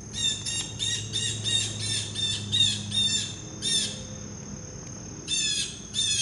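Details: Blue jay calling loudly before taking a peanut: harsh, nasal calls in rapid series, with a pause and then a final burst. A steady insect drone hums in the background.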